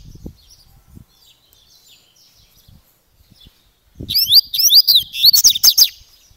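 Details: Double-collared seedeater (coleiro) singing the grego paulista gravata song style: after quiet background thumps, a fast run of high, sharply rising and falling whistled notes begins near four seconds, loud, repeated about twice per second.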